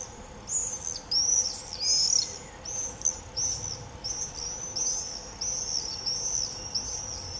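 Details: Common swifts screaming in a frenzy in early July 2018, a nearly continuous chain of shrill, high, rasping screams in bursts of about half a second, several birds overlapping, over a faint low hum.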